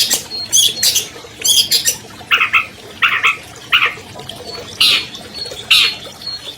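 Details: An albino long-tailed shrike, a 2020 contest winner, in a lure recording for silent shrikes: grating buzzy squawks alternating with lower nasal rasping notes, delivered in uneven clusters.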